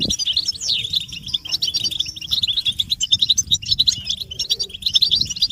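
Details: European goldfinches giving group batbata, mating calls played to make males sing: a brief click, then a busy stream of high twittering, chirps and short trills, densely layered, with faint low hum beneath.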